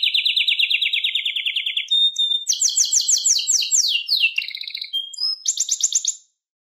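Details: Wild Atlantic canary singing a bright, high song of rapid trills: a long even rolling trill, a brief pure whistle, then faster buzzy trills that shift pitch and end with a crisp high rattle, with no other sounds.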